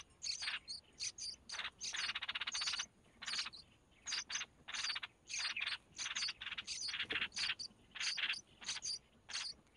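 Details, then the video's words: Red-whiskered bulbul young beg loudly during feeding by the mother, with rapid series of short, harsh buzzy bursts, some longer, repeated almost nonstop with high thin notes. "Chim chào mào mẹ mồi cho con cực hay"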